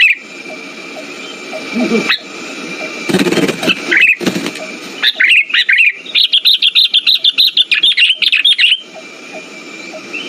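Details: Sooty-headed bulbul lure call for stimulating a silent bird: after several seconds of rustling and hiss, a quick, even train of sharp high chirps runs for nearly three seconds.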